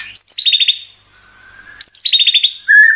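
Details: Oriental magpie-robin singing loud, bright phrases: a high whistle dropping into a fast rattling trill, repeated after a pause, then a steady whistled note; used to provoke magpie-robins into singing.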